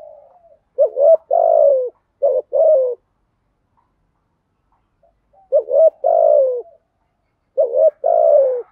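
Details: Vietnamese spotted dove cooing in the 'thổ' deep-voiced, urging 'gù thúc' pattern meant to stir wild birds. Three low phrases, each a short double coo then a drawn-out sliding note, separated by silent gaps.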